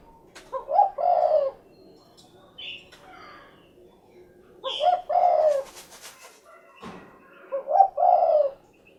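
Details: Spotted dove calling in a series of three phrases, each a short coo running into a longer, mellow, slightly wavering coo, spaced about three seconds apart, with a few brief clicks and higher chirps between them.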